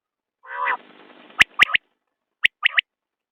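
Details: Common quail: a drawn-out hoarse, buzzy note, then two crisp whistled triplets, each a short note followed by a fast pair.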